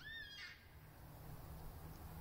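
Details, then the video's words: A black cockatoo calling from a tree across a road gives one brief, rich wailing call rising then falling, about half a second, over a low rumble; the recordist wonders if it is lost, calling for its mother. "Black Cockatoo"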